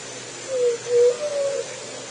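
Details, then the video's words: Juriti dove song: a single low, mellow phrase of three notes, with a brief falling coo, a stronger steady coo, and a longer flat final note. Soft background noise continues throughout. "O Canto da juriti"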